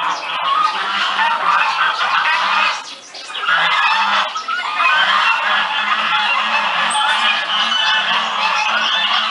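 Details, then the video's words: Early-morning flock of geese making noise, with loud, continuous, overlapping nasal honking from many birds, a short dip in volume near the middle, then the clamour resumes just as strongly. "GANSOS LOGO CEDO FAZENDO BARULHO"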